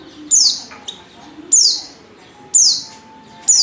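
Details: Female Oriental white-eye lure call meant to set males singing: bright descending high chirps, each sliding sharply down, given roughly once a second, with a soft steady low tone underneath.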